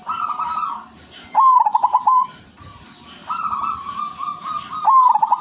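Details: Silver zebra dove in full song, its phrase a held low coo breaking into a rapid rolling run of short coos, given twice in a row against constant low background noise.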